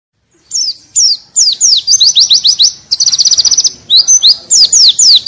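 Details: White-eye song used as tutor material for canaries to copy: high, quick down-slurred whistles, a rapid trilled run near the middle, then more sweeping slurred notes, clean with little background.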